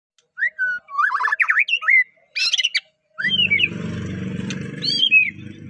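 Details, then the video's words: White-rumped shama of the Medan type, a melodious singer used to spur other shamas into song: sweeping whistled notes and quick warbled trills, a sharp burst near the middle, then a low steady hum beneath later phrases. "MURAI batu gacor suara unik bikin murai murai batu lain langsung gacor"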